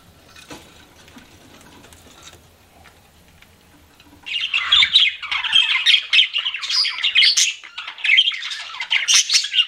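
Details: Pet budgerigars chirping: after about four seconds of near quiet, a busy flock chatter begins, dense scratchy warbles and squeaky chirps overlapping continuously to the end.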